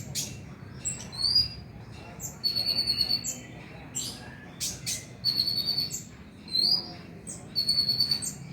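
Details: Van Hasselt's sunbird heard on a lure track meant to trigger night singing in a kept bird; repeated shimmering, buzzy high trills of about half a second alternate with sharp chips and brief whistles.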